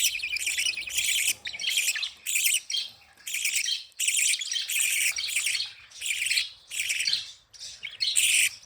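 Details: Budgies happy and playing, giving regular bursts of bright scratchy warbling about every second, each burst separated by a short silence.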